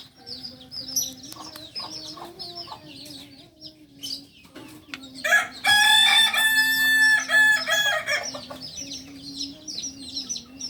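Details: Singing Kokok Balenggek chicken native to Solok, farm-bred in Solok city: small birds chirp busily for five seconds, then a loud long crow with stepped, wavering segments lasting about three seconds.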